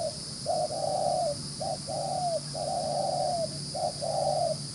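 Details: Spotted dove, caught in the wild and prized for its neat neck spotting, delivering quick rapid-style coos: long level hollow notes broken by brief clipped ones, run close together, with steady background hiss.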